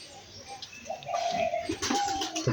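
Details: Two white pigeons giving a sustained, even-pitched coo lasting over half a second, then a shorter, slightly higher note. Background rustling and brief clatter are also audible.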